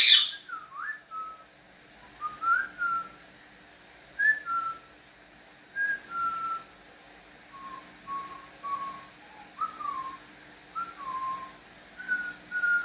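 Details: Pet cockatiel indoors trading whistles back and forth with its owner: short clear whistled notes, some rising, some falling, come in pairs and small bursts about every second or two, with quiet gaps between exchanges.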